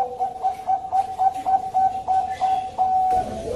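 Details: Bangkok perkutut, a zebra dove, heard in a lure recording. Short, clipped coos repeat rapidly at about three or four per second on one steady pitch and end in a longer sustained note, over a faint hiss.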